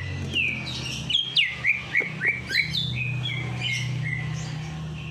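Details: A bird sings to encourage a sluggish bird to sing after its night bath: a run of loud downslurred whistles, about four per second, then softer flat notes, over a constant low hum.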